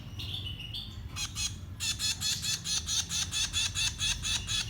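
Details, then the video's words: Baby birds being fed: a few faint high whistles at first, then a steady run of harsh, buzzy, broadband begging calls repeated about twice a second, with a low rumble underneath. "Feeding baby birds 2020 - Bird Feeding Babies"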